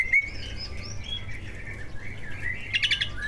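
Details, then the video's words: Softer passage from two caged greater green leafbirds singing mimicry-rich song to provoke other birds: drawn-out whistled slurs and chatter, ending in a brief burst of high buzzy notes. "Kicau burung cucak ijo gacor, prestasi, full masteran. buat pancingan dijamin ikut Gacor"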